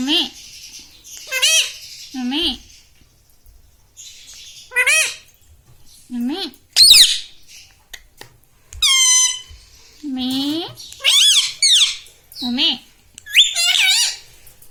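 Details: Pet parrot indoors, mimicking words such as mummy and papa; bursts of squeaky, warbling syllables with rising and falling pitch, separated by pauses, alongside a few lower, softer voice-like sounds.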